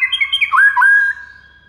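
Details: White-rumped shama tutor song that makes other shamas respond: a brief run of clear whistled notes stepping down in pitch, then a long steady whistle that fades out.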